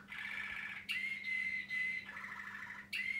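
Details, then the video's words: Pet Waterslager Malinois canary, male, older than one year, singing alternating tours: a rolling gurgling trill, then a pure drawn-out whistle, back to the bubbling roll and another clear whistle, over a quiet constant hum. "Singing canary - chim hoàng yến hót"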